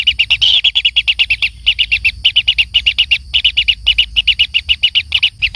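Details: Young kingfisher fed by a parent gives clean, sharp, high chirps in fast series, with short pauses breaking the run into bursts.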